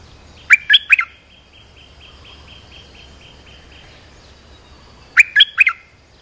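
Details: Olive-winged bulbul calling to train young birds and draw in wild birds: a bright three-note gurgling phrase, a run of faint soft repeated notes, then the same three-note phrase again about four seconds later.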